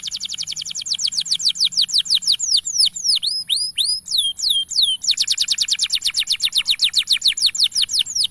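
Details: Male canary singing a long, continuous song used to train young canaries to sing: rapid repeated high downslurred notes in fast trills, a middle run of slower swooping whistles, then another quick rolling trill.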